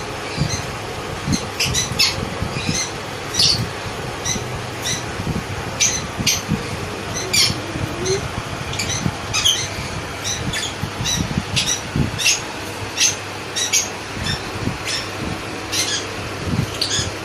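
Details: Hand-fed sun conure chicks give harsh, raspy squawks in quick irregular bursts, with low thumps and handling noise.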